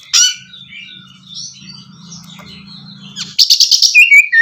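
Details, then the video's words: Oriental magpie-robin song played as therapy to stimulate a bird that has stopped singing: a loud sharp high note, then quieter warbled whistles over a low steady hum, ending in a rapid burst of repeated high notes and a sliding whistle. "suara terapi kacer macet bunyi"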